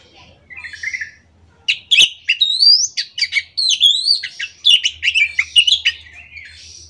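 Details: Orange-headed thrush in the morning, singing steadily in the ngerol style. There is a long unbroken stream of varied rising whistles, sharp chips and slurred trills, with a faint low hum in the background.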